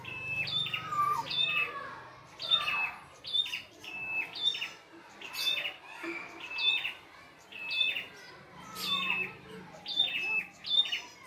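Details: Wild red-headed prinia in full, energetic song, its whistled notes dropping into chattering trills, a phrase about once a second, regular and sustained, with a soft low rumble in the background.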